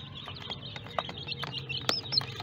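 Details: Several small, colourful baby chicks peep: high, thin, rapid cheeps overlap irregularly over a steady low background hum, with one louder sharp peep near the end.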